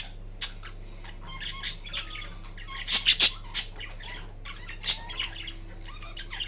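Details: Green Indian ringneck parrot vocalizing softly while napping: scattered quiet scratchy notes punctuated by a few sharp, loud clicks and squeaks, with an indoor electrical hum.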